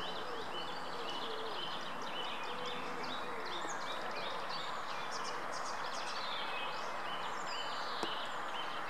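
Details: Greylag goose chicks at the Munich Botanical Garden giving many thin, high peeping calls that overlap continuously, heard over a strong steady background hum.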